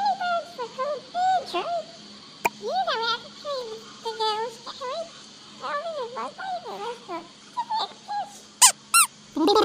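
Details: Rainbow lorikeets at a feeding spot with sunflower seeds chatter in soft, wavering squeaks and warbles, ending with two harsh, piercing screeches; a low steady hum runs underneath.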